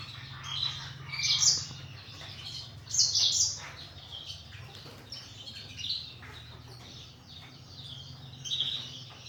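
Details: Captive canaries and black-throated canaries at morning: high twittering phrases with strong bursts near the start and at the third second, quieter chirps between, steady low mechanical hum underneath.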